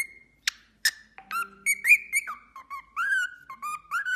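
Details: Pet cockatiel indoors, reacting to played cockatiel singing: sliding whistles that rise and fall, mixed with a few sharp clicks and short chirps.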